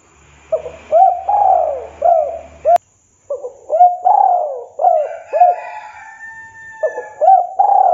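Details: Spotted dove repeating its song on a 2022 champion master for training captive doves: several low, hollow coo phrases with looping rising notes and long falling coos, a click and a short gap, and a faint steady tone behind later phrases.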